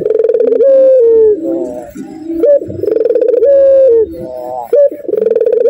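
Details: Low, soft kiw kiw cukurukuk cooing from a puter dove rated level 7. Held mellow notes rise and then fall, and short rolled phrases repeat every few seconds.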